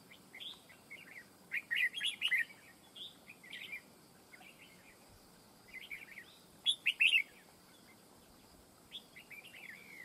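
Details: Red-whiskered bulbul singing at a fight trap, with short clusters of quick whistled, slurred notes delivered in bursts several seconds apart and quiet pauses between phrases.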